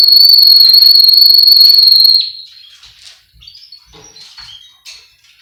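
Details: Male Russian canary song for training, bred in Miami, Florida: a loud, steady, long whistled tone lasting two seconds, followed by soft scattered chirps and faint short notes.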